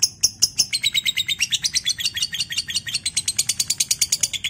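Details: Lovebird ngekek, the long trilling chatter used as a training recording to prompt other lovebirds: fast, dense series of high, sharp chirps running continuously, speeding into a buzzy rattle toward the end, with faint low background hum.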